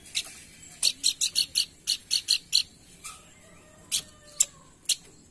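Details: Pelanduk bukit lure sound meant to provoke singing: a quick sequence of about eight sharp high notes, followed by sparse single chips with quiet gaps.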